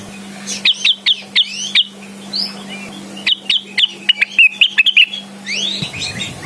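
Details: Blue-winged Leafbird in lively song, calling a rival with spaced, crisp chirps followed by a rapid chattering phrase, with a sweeping whistle at the end and a constant low hum.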